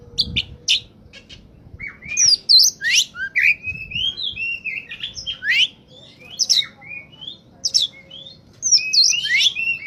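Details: Kacer, the oriental magpie-robin, in full song used as a lure for catching birds: a fast, varied medley of bright whistled slurs and sharp chips, with uneven pauses and a faint steady low hum underneath.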